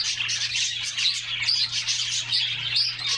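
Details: Canaries in a group, singing while splashing in a summer bath; rapid high tweets and short warbled phrases overlap densely, a few clear whistled notes standing out.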